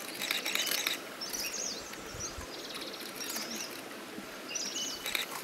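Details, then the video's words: Verditer flycatcher giving short, high, squeaky chirps in loose bursts, over a steady hiss of insects and outdoor noise. "Verditer Flycatcher"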